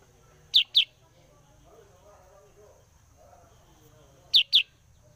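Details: Sooty-headed bulbul, used to draw in other birds, repeating a crisp double chirp of high, descending notes twice, roughly four seconds apart, over a low hum.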